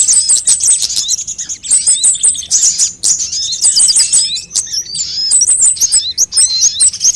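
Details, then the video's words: Several types of sunbird calling on a lure track for prompting birds to sing: bursts of shrill, thin chattering and fast slurred whistles, grouped in runs of about a second with brief gaps between. "suara pikat semua jenis burung kolibri"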